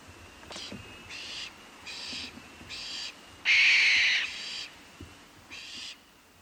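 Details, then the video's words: Real barn owl calling at night, giving a series of harsh, rasping screams, each under a second long and repeated roughly every second, one burst louder and longer than the rest, over a faint background hiss. "imagine yourself standing in a quiet field under the moonlight as the scream of the barn owl echoes in the darkness."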